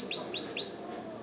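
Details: Canary song played for training and exciting females to mate: three clear, rising, whistled notes in quick succession, roughly one every fifth of a second, then a faint trailing sound.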